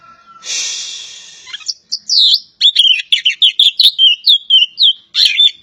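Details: Kacer poci, a Javan Oriental magpie-robin, gives a drawn-out rasping hiss, then a fast, rhythmic string of bright whistled and chirping notes repeated in short bursts, with a last sharp burst at the end.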